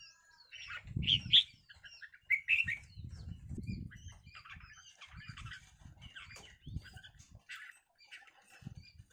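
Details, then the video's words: Red-whiskered bulbuls fighting: sharp, bright chirps and short warbled notes come in irregular bursts, with low thumping and fluttering sounds of scuffling and wing flaps underneath. "chào mào đá nhau"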